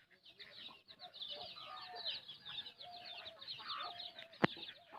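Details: Hen clucking softly while feeding her chick, with drawn-out nasal notes under a steady stream of high, rapid chick cheeps and one sharp click near the end.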